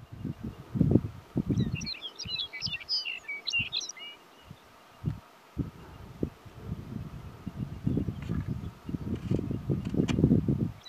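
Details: A Lapland longspur on breeding tundra along Imnavait Creek, North Slope, Alaska, in summer 2019 gives a quick, jumbled, tinkling warble of high notes for about two seconds, with steady low wind rumble and gusts.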